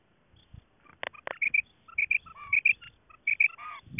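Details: Calling of a female quail, used as a lure in quail hunting in Khyber Pakhtunkhwa, Pakistan: bursts of sharp high paired notes after a few loud clicks, with a short buzzy trill and soft low thumps.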